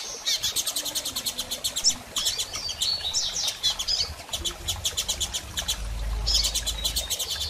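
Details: Female double-collared seedeater calling a lot, used to stimulate a male to start singing after moult; rapid trains of short high clicking chirps, repeated in bursts with brief pauses, a few softer twittering notes between them.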